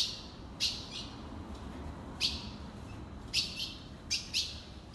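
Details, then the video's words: Ultramarine grosbeak calling with sparse, loud, piercing chirps, five notes spread over five seconds with quiet gaps between, over a soft hiss. "Seu azulão vai ficar louco com esse piado"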